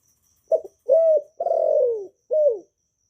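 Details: Spotted dove (cu gáy, cu cườm) from Vietnam, a kept bird cooing in calling, urging and crooning style to get new doves singing; one clean phrase: quick double note, rising coo, long slow descending coo, short closing coo.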